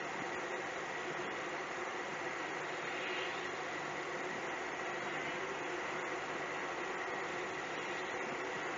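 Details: Steady, broadband engine-like rumble and hiss fills the recording, with no animal sound heard.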